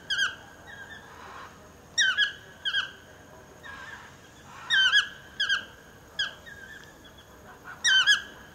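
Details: Talkative toucan calling from just below a house: loud, harmonic yelping notes with a downward twist, often in quick pairs, repeating in bursts about every second or so against a soft steady background hiss.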